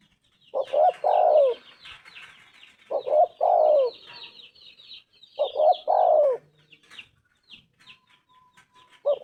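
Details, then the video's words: Tekukur (spotted dove) singing three well-spaced phrases about every 2.5 seconds, two short coos then a long falling one each time, with chirping small birds and a faint whistle behind. "Tekukur gacor suara emas"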